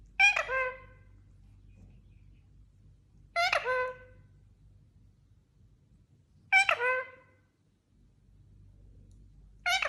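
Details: Talking Indian ringneck parakeet repeats a harsh, rich, harmonic vocal phrase roughly every three seconds, four bursts in all. Each is brief and descending, a nasal, speech-like squawk, separated by near silence in a quiet indoor setting.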